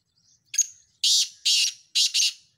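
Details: Black francolin calling: four loud, harsh, rasping notes in about two seconds, a short sharp first note followed by three broad grating bursts, the last one doubled, with no other sounds.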